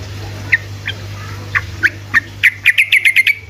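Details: Yellow-vented bulbul singing in the rapid 'ropel' style to coax reluctant birds to reply: isolated sharp chirps that quicken into a fast run of clear notes, over a low droning hum.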